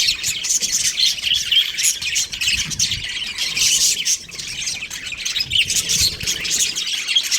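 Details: Budgies, a breeding pair, keep up rapid scratchy chirps and squeaky warbled notes, overlapping continuously, briefly softening near the middle before rising again.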